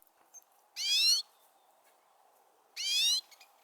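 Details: Pine Siskin at a spring feeder in snowy northern woods gives two high, buzzy, rising alarm calls about two seconds apart over a low steady hum, calling because a Gray Jay came too close while it fed from a hand.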